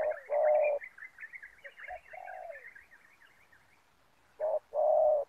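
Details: Decoy spotted dove set on the ground beside a trap net to lure wild doves gives rich, hollow coos in paired notes, with a burst at the start and another near the end, over light twittering from small birds.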